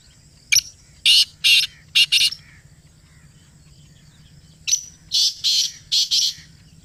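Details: Close-range calling of a black francolin: two grating phrases a few seconds apart, each a short sharp note followed by three or four rasping, buzzy notes in a quick, uneven rhythm.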